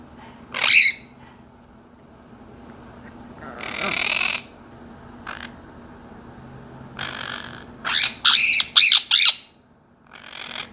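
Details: Pet Quaker parrots, loud and yelling at each other as if fighting, during a jumping and noise-making training session: harsh, grating squawks in bursts, ending in a rapid run of four or five sharp screeches.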